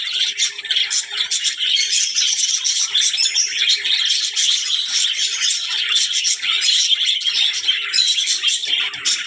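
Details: Many budgerigars, said to be talking, keep up a steady mass of bright chirping and scratchy warbled notes, with sharp clicks and tweets rising out of the continuous chorus.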